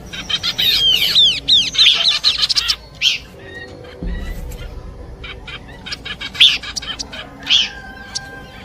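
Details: Horsfield's babbler song for luring birds: fast arched whistles and chatter in the opening seconds, then sparse short notes and faint steady tones.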